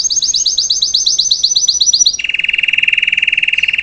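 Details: Salsa canary singing to teach a young bird: a fast run of high repeated notes for two seconds, then a lower rapid buzzy trill held steadily to the end.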